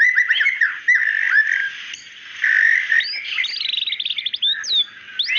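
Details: Female white-rumped shama calling the male with steady buzzy tones and a few whistled slurs, then a quick rattling run of repeated chips and scattered upswept notes.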